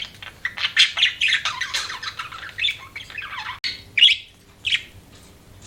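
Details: Pet budgie giving a scratchy warbled phrase, then single sharp chirps spaced out with quiet gaps, a low hum underneath.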